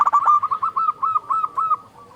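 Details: Loud local zebra dove, a lure to get doves singing, giving a single rapid phrase of about a dozen short cooing notes at a steady pitch that fade slightly toward the end.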